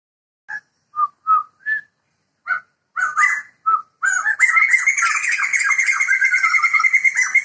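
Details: A male and female pair of Sumatran white-crested laughingthrushes, a protected bird endemic to Sumatra, sing loud, distinctive cackling song: short separate whistled notes at first, then a dense continuous laughing chorus around a steady high band.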